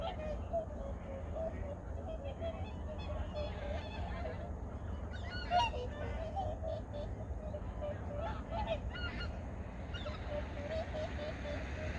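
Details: Migratory birds at Junam Reservoir in Changwon, South Korea, early morning in 2019: a distant flock gives overlapping nasal honks, with one louder call near the middle over a steady low rumble.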